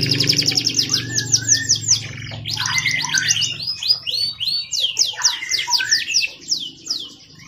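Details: Canary in full song, a recording meant as tutor song for training other birds: rapid rolling trills of high sweeping notes, broken by short lower warbled phrases, running without pause. A low hum is heard in the first two seconds.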